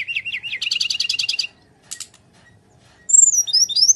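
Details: Brown-chested jungle flycatcher in full fighting mode, used as a lure for a bird that sings too little: a run of rising chirps, then a fast buzzy trill and sharp whistled slurs after a short pause.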